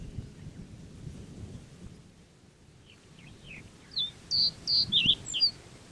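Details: A male common reed bunting in black-headed breeding plumage sings a short phrase of faint lead-in notes, then about six bright, high, clipped chirps, over a low rumble of wind.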